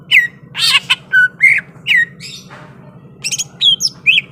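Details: Greater green leafbird described as ready to fight: harsh squawks alternating with falling slurred whistles roughly twice a second, a short lull, then more chips and whistles over a low hum.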